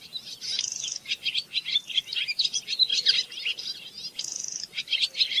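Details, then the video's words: Song of a Barn swallow. Quick, squeaky twitters are broken twice by a drawn-out buzzy rattle, once near the start and again toward the end. Busy chattering fills the gaps between them. "صوت تغريد طائر السنونو / الخطاف /خطاف الشعر /سنونو المخازن/عصفور الجنة المخازن / Barn swallow"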